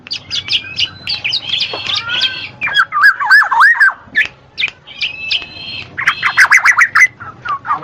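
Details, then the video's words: Black-naped oriole, recorded to prompt lazy birds to sing: harsh, scratchy chatter mixed with bright whistled slurs in the middle and a burst of fluty notes near the end. "SUARA KEPODANG MAS"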